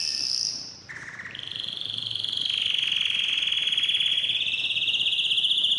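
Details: Canary song used to stimulate mating in both sexes. A short high trill is followed by a pause and a low buzzy phrase. It then settles into a long, fast, even rolling trill that slowly rises slightly in pitch.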